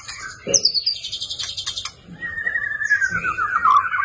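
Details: Energetic fighting song of a white-rumped shama (murai batu), a training recording for caged birds. A sharp high sweep and buzzy rattling notes give way to a long falling whistled phrase.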